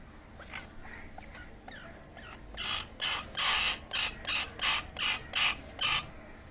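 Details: Rescued baby crow begging while being fed: harsh, raspy, broadband calls in a rapid run of about nine, roughly two per second, growing louder, over faint background hiss.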